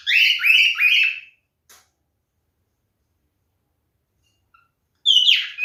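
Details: Male cockatiel giving its mating call, a quick series of three harsh, rising-then-falling whistled notes, a faint click, then another squawky burst after a pause of several seconds.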